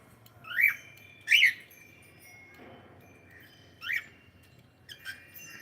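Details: Pet cockatiel calling loudly: two strong rising-then-falling chirped whistles about a second apart, a pause, then another similar call and softer trailing notes, against a quiet background.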